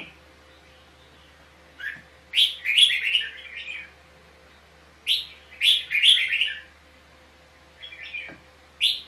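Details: Fighting red-whiskered bulbul singing in a competitive duel, used as a lure to prompt singing: clusters of quick liquid warbles and high clicks, each burst lasting about a second, with gaps between, low background hum.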